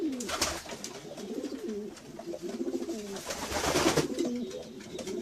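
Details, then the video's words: Domestic pigeons coo continuously in low, warbling, rising-and-falling phrases, with scattered wing flutters and rustling clatter, busier toward the end. "Sounds of pigeons. Pigeons,domestic pigeons - pigeons sound effect"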